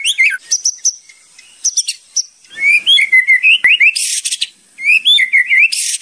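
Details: White-rumped shama song for training, with kretekan rattles and tembakan shots. Very high thin whistles, then lower looping whistled phrases rising and falling, cut by a harsh broadband rasp and more warbling.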